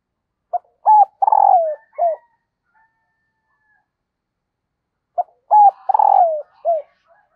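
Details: Female dove calling to excite the male: two identical phrases about four seconds apart, each a short note, a clipped double coo, a long rolling coo sliding downward, then a brief falling note.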